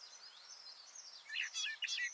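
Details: Male garden warbler (Sylvia borin) singing, recorded up close from about two metres below him under a bush: a rapid, rich warble starting soft and thin, then a louder burst of tumbling, mellow notes.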